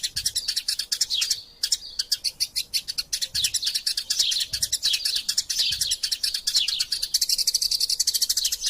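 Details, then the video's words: Eurasian tree sparrows (Passer montanus), described as fighting, chatter in a fast, unbroken stream of high, harsh chirps, several notes a second, with short clipped phrases overlapping throughout. "Burung Gereja Tarung Gacor Passer Montanus passeridae Eurasian Tree Sparrow erasia suara masteran"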